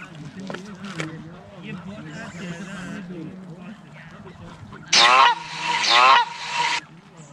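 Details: Geese being fed respond with quieter murmured calls, then two loud, harsh honking blasts near the end, after a low speaking voice and music as recorded goose sound effects are played to them.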